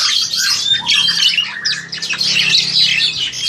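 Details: Crested Myna in captivity, seven to eight months old, recorded on an aging phone; scratchy chatter mixed with short clear whistled notes and squeaks, rapid and continuous.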